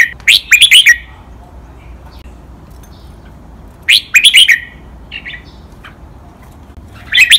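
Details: Caged red-whiskered bulbul singing a 'lak wai' master pattern of doubled, countable notes for training other birds. Sharp phrases of several quick whistles come at the start, near the middle and at the end, with silence between them.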